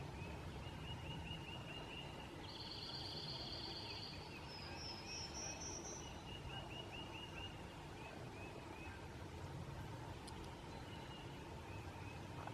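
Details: Red-cockaded woodpecker at Piedmont NWR on April 12, 2015 gives thin, high chattering notes over a steady low rumble.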